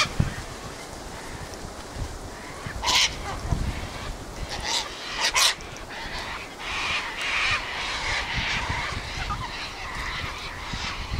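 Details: A flock of Sulphur-crested cockatoos (Cacatua galerita) screeching and squawking at a regular gathering place; scattered harsh broadband screeches, a sharp one around three seconds and a pair near five, under steady wind noise.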